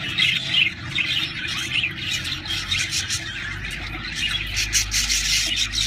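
Budgerigars chatter in rapid, scratchy squawks and chirps, several birds calling over one another.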